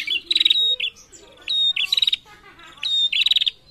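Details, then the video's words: Female prinia calling insistently in reply to males: three phrases about 1.3 seconds apart, each a high, steady whistled note run into a fast burst of dry, rattling ticks, with soft chirps between phrases. "SUARA PRENJAK BETINA GACOR SAUT JANTAN"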